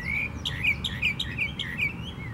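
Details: At Tattnall Square Park on May 11, 2015, a Northern mockingbird sings a quick run of clear whistled notes and chirps, bouncing up and down in pitch, over a low constant hum.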